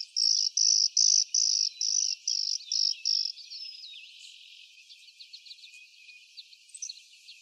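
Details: Clay-colored sparrow singing on 12 May 2023, McGill Road, Jackson County, Michigan: eight flat, dry, high buzzes in a steady row, each under half a second, over about three seconds, followed by faint background chips.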